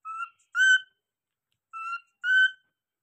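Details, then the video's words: Pet cockatiel giving clear whistled notes in pairs, a shorter lower note followed by a longer slightly higher one, the pair repeated twice with a pause between, against a silent background. "Cockatiel Alarm"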